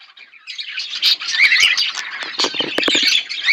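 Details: Pet budgerigar pair chirping together: a continuous, crowded stream of high warbled chirps and clicks that builds in loudness after a quiet start, with short sharp ticks mixed in.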